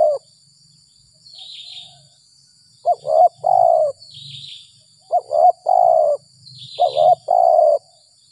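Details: Spotted dove called up after rain in early April, giving its 'gagap 6 mata' style: low hollow coo phrases, each of two short stuttering notes and one drawn-out note, repeated about every two seconds over a constant high insect drone.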